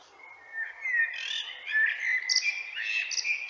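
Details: Common blackbird song, clear and close: mellow whistled warbling phrases that waver and slide, topped by brief higher twittery notes near the end, with a quiet background.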